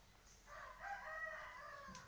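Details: Distant crow of a white decoy contest rooster, dated 25/2/20. A drawn-out harmonic call about a second and a half long over a faint, low background hum.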